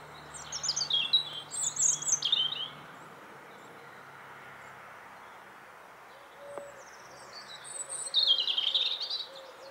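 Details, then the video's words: Bird song: high rapid twittering phrase, a long pause with a faint click, then another burst of varied high warbled notes, over low background rumble. "CHANT OISEAU"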